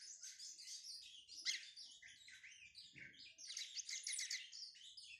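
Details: Owned Lined Seedeater in brown plumage, warming up its song, gives continuous rapid high twittering with sharp, scratchy phrases that swell louder toward the end.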